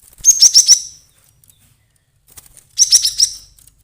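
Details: Agitated lure call of a cinereous tit (glatik batu) used for bird trapping: two bursts of rapid, piercing high chirps, each about a second long and separated by a pause of nearly two seconds.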